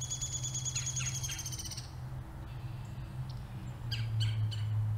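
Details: Tufted titmouse in a dogwood tree, March 2021, giving thin, high notes that ring over the first two seconds, then short sharp calls, over a steady low rumble.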